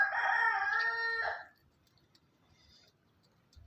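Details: Rooster recorded on a farm crowing once, a rich harmonic call held for about a second and a half with a slight wavering break near its end. Quiet low background rumble follows.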